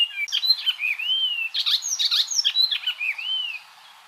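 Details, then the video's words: Icterine warbler singing varied phrases of sharp chips alternating with smooth rising-and-falling whistled arcs, repeated in quick succession before fading into quiet at the end. "MASTERAN burung icterine warbler"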